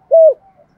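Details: A single short, steady, mellow coo from a dove used as a decoy, heard close and clear with faint trailing murmurs.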